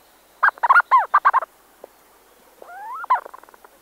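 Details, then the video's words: Close recording of two Leach's storm petrels calling inside a burrow, with bursts of rapid chattering notes, a few arching whistled notes, then a rising drawn-out note followed by quick stuttering pulses; quiet background. "Leach's Storm Petrel. CU Calls From Two Birds In Burrow, Some 'Churring'"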